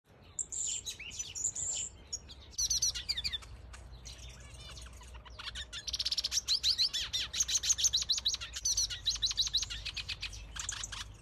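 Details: A black siskin (Spinus atratus) of a breeding pair in an aviary sings a fast run of high, thin twitters and buzzy trills, climbing and falling in quick bursts over a low background hum.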